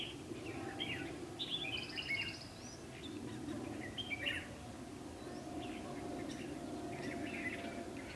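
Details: Red-whiskered bulbul used as a decoy, singing competitively to lure wild birds into a trap on 12 August 2016; short bright warbled phrases, scattered and fairly faint, over a steady low rumble of background noise.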